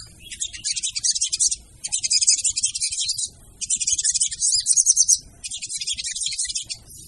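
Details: Female sogon used as a lure: four long bursts of dense, buzzy high chatter, each lasting over a second, with short quiet gaps between them.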